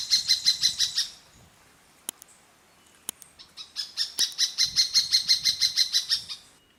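Uniform Treehunter giving two bursts of rapid, evenly spaced high chattering notes, about five per second, with a couple of sharp clicks between them.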